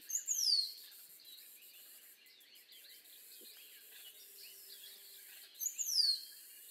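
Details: Rose-throated becard with a high, thin whistle sliding downward at the start and another at the end, with a soft, varied chatter of other small birds in between.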